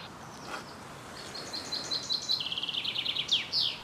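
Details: Common chaffinch singing its heart out in the Vossmoor on a windy, cold May day, 2020, a song heard in the courtship season; a fast descending trill of sharp notes accelerating into a terminal flourish, with wind in the background.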